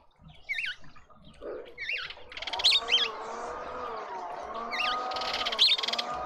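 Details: Mousebirds calling at a garden feeder in suburban Pretoria, South Africa: repeated squiggly rising-and-falling whistles and buzzy bursts, over a steady low droning hum in the background.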